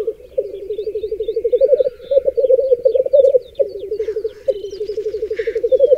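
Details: ['At a black grouse lek in the Berezinsky Biosphere Reserve bog, almost all the females crowd round one male; deep rolling bubbling in long unbroken phrases, briefly paused, with small faint whistles in the background.']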